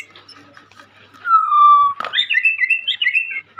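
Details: Young white-rumped shama kept by Indonesian hobbyists: a long, falling, pure whistle, then a fast warbling run of high notes, with faint background sounds before it.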